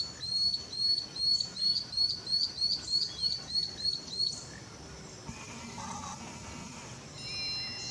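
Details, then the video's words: Singing lanceolated monklet in Costa Rica's humid tropical forest: about a dozen sharp high upslurred whistles repeated nearly three per second for four seconds, then stopping, leaving faint calls of other birds and forest ambience. "Macuru-papa-mosca cantando na natureza"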